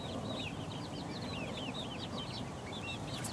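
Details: Young chickens aged four weeks peck around, a flock giving a dense, continuous stream of high, curved, whistled peeps, many overlapping, above a constant low rumbling hum.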